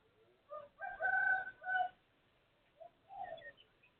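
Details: Neighbour's rooster crowing at 12:12 on 23/01/2568 (Thai calendar): a faint, distant crow with a short lead-in note and drawn-out middle, followed by a second partial crow over quiet background hiss.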